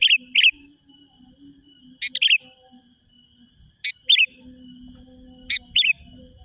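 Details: Energetic Sooty-headed bulbul song used to call wild rivals: four bursts of two quick bubbly whistled notes, about every one and a half seconds, with a constant high hum and soft low noise.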